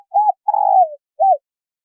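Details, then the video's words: Female spotted dove calling to stimulate a male. A short arched coo, a drawn-out vibrating coo that slides lower, then one more short arched coo, in a quiet setting. "Tiếng chim cu gáy mái kích trống gáy gù"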